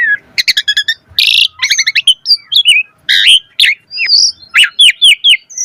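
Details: Lure song of an Asian pied starling, full of varied fill-in phrases to set starlings singing: rapid clicks, a harsh broadband burst, then a string of fluty downslurred whistles repeated about every quarter second.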